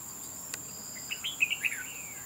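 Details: Fighting at a trap, a wild Red-whiskered bulbul utters one quick phrase of four or five bright, slurred chirps ending in a falling whistle, with a high steady insect hum behind.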